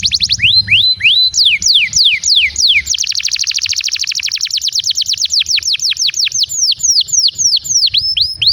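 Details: Long, lively canary song played to prompt other canaries to sing and to tutor young birds; a sharp series of steep falling whistles leads into a dense buzzing roll, then more descending sweeps delivered in quick succession.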